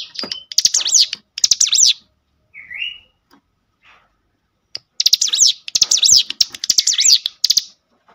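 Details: Cinereous tit goaded into song by a played lure: high trilled, buzzy phrases in two groups separated by a pause holding one short rising whistle, with dry clicks between notes.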